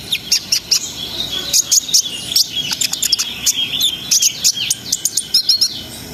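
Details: Brown-throated sunbird singing hard, its song said to raise breeding arousal in untrained birds; high, squeaky chirps and sliding twitters in tight clusters, with brief gaps between bursts.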